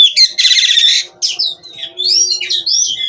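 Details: Captive Oriental magpie-robin singing in 'gacor' nonstop style. It opens with a harsh, buzzy rattling burst, then moves into pure sweeping whistles and quick warbled notes.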